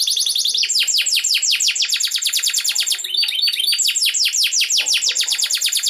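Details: Canary from Bogor, Indonesia, being readied for a big competition event, singing a loud, high, fast series of sharp downslurred notes, about three per second, with a brief pause midway.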